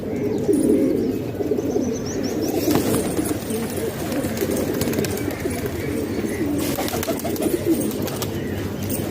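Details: In Pakistan, a flock of hobby pigeons housed indoors keeps up a dense, low cooing chorus. A few brief knocks and faint voices rise above the murmur.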